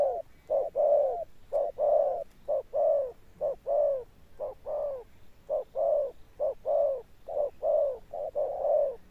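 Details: Tame spotted dove giving a thunder-tone coo with stamping notes and a long-lasting finish. A dense series of deep coos, each swelling and fading, runs steadily throughout.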